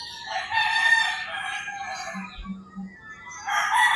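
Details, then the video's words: Early-morning rooster crowing in rural Philippine countryside; a loud harmonic crow held about a second, a quieter gap with low clucking sounds, then another crow bursting in at the end. "Crowing Roosters"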